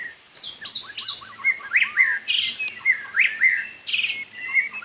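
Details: A white-rumped shama bathing in rain gives loud, varied song: sharp rising and falling whistles, quick slurred notes and bursts of bright chatter in rapid succession, with a low steady hum beneath.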